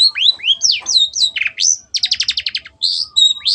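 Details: Long-tailed shrike singing vigorously with a clear voice: swooping whistled slurs, a short harsh note, then a rapid rattle of even clicks and more looping whistles.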